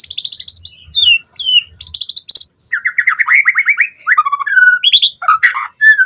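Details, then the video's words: Captive white-rumped shama lure song for training: high sharp whistles and slurred notes, then a long fast series of repeated descending chips followed by varied whistled phrases. "Pancingan Murai Batu Cepat BONGKAR ISIAN Buat Masteran Suara Burung Murai Agar Gacor Full Isian"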